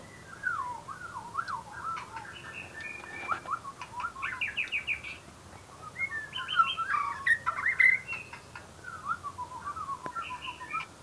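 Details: White-rumped shama singing a long, varied run of whistled and warbled phrases, some rising and some falling, with short pauses, over steady background hiss.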